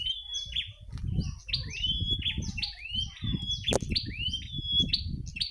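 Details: Late-afternoon song of a wild prinia near a house, a rapid run of high, slurred whistles that swoop upward and fall, repeated several times a second over steady low-pitched background rumble and one sharp click.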